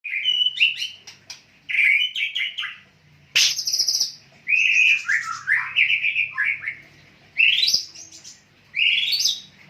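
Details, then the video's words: White-rumped shama of the Medan type, a caged bird under care and conditioning, singing loudly: rich whistled phrases that rise and fall, some rolling and slurred, delivered in separate bursts with short pauses between. "burung murai medan gacor dor dor"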